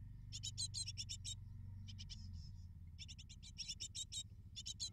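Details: Short bursts of rapid, shrill begging chirps from great tit nestlings awaiting food from their parents, with a pause midway and low background hum.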